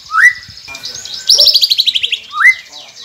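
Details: White-rumped shama song meant to get silent captive birds singing: a rising whistle, a rapid buzzy trill of about a dozen pulses, then another rising whistle.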